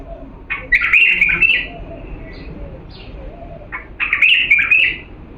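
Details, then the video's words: Song of an authentic Diyala bulbul for tutoring chicks: two lively, jumbled warbling phrases roughly three seconds apart, each opening with a short note, with faint high chips in between. "افضل تغريد بلبل ديالى الاصيل لتخريج الافراخ بدون اخطاء صوت صافي"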